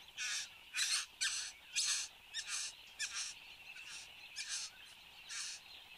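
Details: Satin bowerbird at its bower in Australia, 10 January 2015 at 8:02 am, recorded by a webcam: a quick run of about eleven rasping, crackling bursts, loud at first and then fading, over a faint steady drone.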